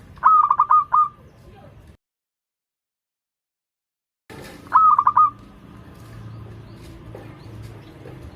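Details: Local zebra dove singing as a lure for doves learning to sing: a stuttering, bubbling coo phrase, a brief dead-silent gap, then another matching phrase over light background noise.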